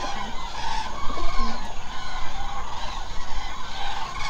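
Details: A large gathering of common cranes calling at night at a roost in the Hula Nature Reserve wetland in Israel. Many honking, bugling voices overlap in a continuous clamour, and a few louder calls stand out near the middle.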